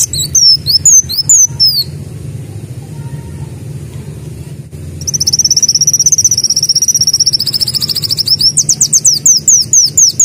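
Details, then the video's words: Sunbird (kolibri daun) copying a canary in continuous song: a few sharp descending whistles, a pause, then a long rapid high rattle-like trill that breaks into looping whistled slurs, steady background hum. "Kolibri Daun Mbeset + Nembak Kenari"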